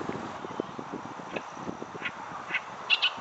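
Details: Oriental reed warbler, heard but barely seen, on a riverside floodplain in the season when chinaberry trees are in full bloom: harsh, grating notes in short bursts, growing louder toward the end, over a low, soft background rumble.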